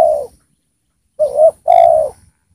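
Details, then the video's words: Spotted dove used as a well-singing decoy to lure wild spotted doves down: a low cooing phrase, then after a pause a short rising coo followed by a longer, steady, slightly falling coo. "Pikat Tekukur Gacor di Turunin Tekukur Liar"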